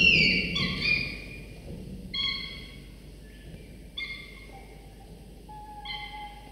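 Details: Two falcon chicks, 24–25 days old, in the nest as the father brings prey in the morning; a loud harsh cry, then shorter whining whistles spaced every couple of seconds, steady in pitch.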